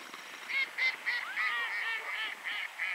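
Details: Velvet scoters at Rawa Mazowiecka, Poland, give a rapid series of harsh, nasal honking notes, about three per second, with several birds overlapping.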